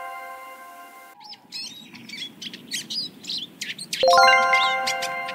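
Eurasian Siskin giving a quick, high twittering run of chirps and short trills for about three seconds, set between bright chime-like tones.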